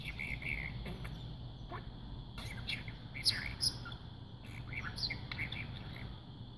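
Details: A pet budgerigar that learned to talk by watching videos of other talking parakeets chatters in quick, scratchy warbles and chirps, mixing soft murmured speech-like phrases with brief high squeaks over a low hum.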